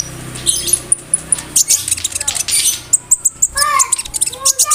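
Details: A konin bird sings a mimicry-filled song with cricket, brem, kamade and rambatan imitations, meant for tutoring songbirds such as murai and canaries; a thin high trill, scattered chips, and lower slurred whistles near the end.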